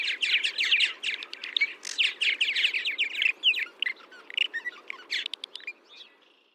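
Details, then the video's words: A barn swallow sings a fast, high twittering warble of chattering notes that thins out and ends in a dry, buzzy rattle. "Il canto della rondine"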